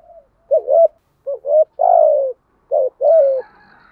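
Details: Spotted dove song for luring wild doves: irregular low coos. Short wavering notes come before long sliding coos, with three phrases in four seconds and faint higher bird sounds at the end.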